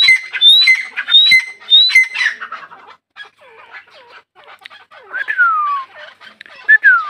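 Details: Female grey francolin (teetar), Dakhini type, in a fighting context: three sharp rising whistles in quick succession open the recording, then quieter scratchy chatter and a long descending squealing note toward the end.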